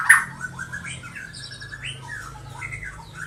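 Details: Six-month-old captive juvenile white-rumped shama of the Medan line, colony-bred eighth generation: rambling, varied whistled phrases that rise and fall at mid pitch, with a low background hum.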